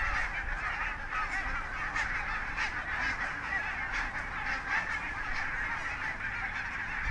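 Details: Barnacle geese of the Svalbard population wintering at Mersehead RSPB Reserve, Dumfries and Galloway, November 2011: a steady, dense chorus of overlapping yelping, barking calls from a large flock, continuous throughout.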